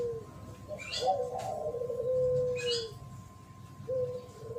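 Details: Spotted dove in thổ pháp song, used to stir up males and females: a softer, drawn-out low coo with a shorter coo after it. High chirps from other birds and a constant hum sit in the background.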